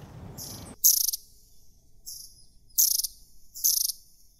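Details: Wild long-tailed tits in January near the Zvenigorod Biological Station, Moscow Region, Russia: very high, thin, trilled call bursts in four short clusters over about four seconds, with a brief low rumble at the start.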